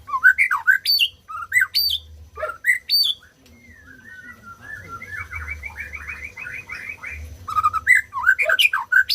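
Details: White-rumped shama singing loud, varied whistled phrases with sharp rising and falling notes. A softer run of quick repeated chatter fills the middle before the bold whistles return.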